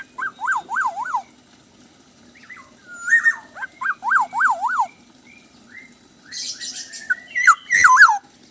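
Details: Lively black-naped oriole song full of learned filler phrases, heard as quick wavering whistled trills in groups of three or four, separated by short slurred notes, with a few harsh scratchy bursts and sharp whistles near the end.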